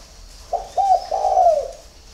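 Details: Single early-morning phrase of a spotted dove: a short low note, a slightly rising coo, then a long smooth falling coo, all mellow and hollow, against near silence.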